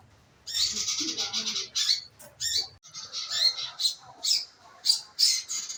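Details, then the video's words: Scarlet minivet lure recording for making birds sing: a run of fast, high chirps, then spaced sharp notes repeated about every half second. "pancingan burung manggaran agar maun bunyi"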